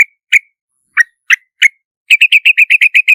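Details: Yellow-vented bulbul giving spaced single chirps, some slurred downward, then breaking into a fast, even run of about ten crisp notes; no other sounds.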